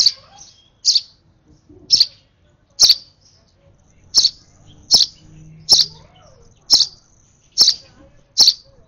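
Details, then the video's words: Over-excited baby sparrow being hand-fed at its last feed, giving sharp high chirps repeated roughly once a second, about ten in a row, with quiet pauses between them. "Last feed of a UNLUCKY, Over Excited Sparrow Baby"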